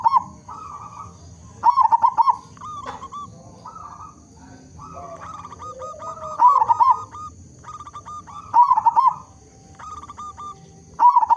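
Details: A local zebra dove in full song, big-voiced, used to get other zebra doves singing. Rapid clipped coo notes alternate with bright rolling trilled phrases, about five of them, loud and repeated.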